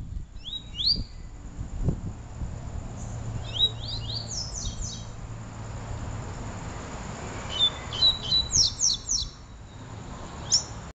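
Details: Double-collared seedeater songs of the peteleco and desejo styles, heard one after the other: bursts of quick, high, slurred chirps and short rising notes in clusters, separated by pauses over a faint low background rumble.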